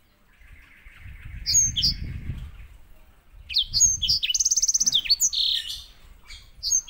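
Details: White-rumped seedeater song, kept as a master bird for teaching canaries. A thin, steady high tone over low rumbling opens the clip, then lively twittering follows, with a fast rattling trill.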